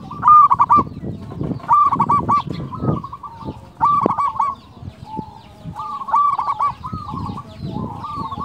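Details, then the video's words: Local zebra dove (perkutut) in active, loud-voiced song, used to lure and train other zebra doves; stuttering series of low cooing notes repeated in bursts about every two seconds, with rumbling background noise beneath. "PERKUTUT LOKAL GACOR SUARA BESAR - Jagonya Mengundang Bunyi"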